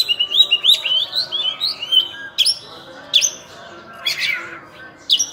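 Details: Oriental magpie-robin, called burung cincim pala locally, delivering a quick string of rising whistled notes followed by spaced harsh, scratchy bursts.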